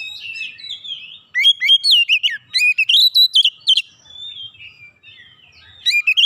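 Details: Oriental magpie-robin singing to get other magpie-robins heated up. Soft warbling leads into loud rapid sequences of sweet whistles and upward-sliding notes mixed with crisp clicks, fading, then resuming at the end.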